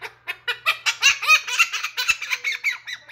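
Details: Pet blue-crowned conure imitating human laughter indoors: a rapid run of loud, harsh, chuckling notes, about four per second, broad and raspy with a few squeaky rising syllables, continuous for three seconds.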